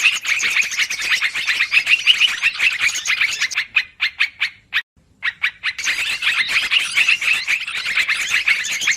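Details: Noisy yellow-vented bulbul lure for catching birds: crowded twittering, a short stretch of spaced single chirps and a near-silent gap at mid-clip, then the busy chorus again.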